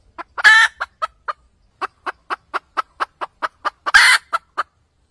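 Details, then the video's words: Cackling red junglefowl hen, used for trapping: short clucks punctuated by two loud harsh squawks, one early and one late, with a brief pause in between. "Tiếng gà mái cục tác siêu nhạy"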